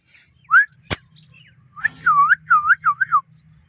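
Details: Parrot heard in a natural setting, giving a short whistled note, then a sharp click, then a rapid run of four swooping, dipping whistles near the end, over a low steady hum.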